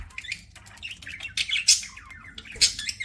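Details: Eating budgerigar making rapid chattering chirps and sharp high squawks, several bursts packed into a few seconds, with quiet room hum beneath.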